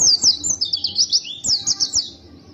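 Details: Persistent, emotional song of a white-eye: quick series of high, thin, twittering notes in short bursts, slurring down slightly, two main runs separated by a brief gap, fading out at the end.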